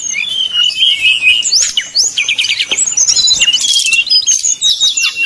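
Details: Lure song of a brown-chested jungle flycatcher, 'nyuling' flute-like style meant to anger rival birds into singing: rapid jumbled high whistles, sharp upslurs and short chattering trills in an unbroken busy stream.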